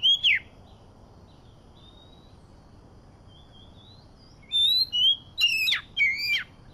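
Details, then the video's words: Medan-type Oriental magpie-robin song played as a trapping lure: a brief whistled note, soft thin whistles, then a run of sharp, slurred, high whistles and harsh chattering notes near the end. "PIKAT BURUNG KACER MEDAN FIGHTER"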